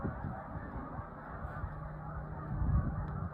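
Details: Canada geese in large flocks passing high overhead, dated 1/4/26, give a distant, steady wash of overlapping honks, with low-pitched rumble and a slightly louder swell near the end.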